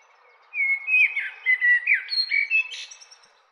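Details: Common blackbird song: a varied phrase of clear whistled and warbled notes, sliding up and down, ending in a higher twittering flourish, over a quiet background.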